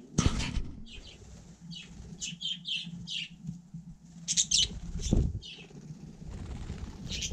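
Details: On snow in frosty weather, a budgerigar gives scattered high chirps and brief twittering, with knocks and a low background hum.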